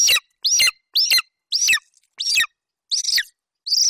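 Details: Golden eagle youngster in Bucovina, July 2021, calling over hare prey its mother delivered to the nest and staying there until she left. Seven piercing, downslurred cries in quick, uneven succession.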